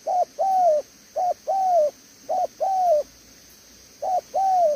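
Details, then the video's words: Caged spotted dove, a decoy bird, cooing in the "thổ tở đèo lò xo" style: four short-long note pairs, each long coo gently arched and falling, with a pause before the last pair. "Thổ Tở Đèo Lò xo | Âm quá tốt"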